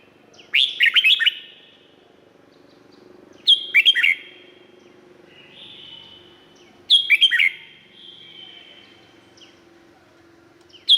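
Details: Thai Red-whiskered bulbul song used to stir up birds: three busy phrases of several fast chirped notes, spaced about three seconds apart, each fading into a sustained echoing whistle over a low steady hum.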